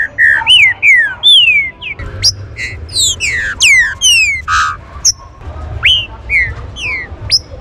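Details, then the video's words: Green-winged saltator warm-up song for stimulating other saltators: rich whistled phrases that rise sharply and glide downward, rapidly repeated, with fainter overlapping whistles and buzzy notes from further birds in the background. "CHUVA ESTE CANTO VAI ESQUENTAR SEU TRINCA-FERRO"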